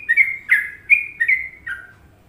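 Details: Sooty-headed bulbul in Indonesia giving trucukan song: five clear whistled notes at nearly even pitch, each gliding slightly downward, spaced about four tenths of a second apart, the last one lower and fading.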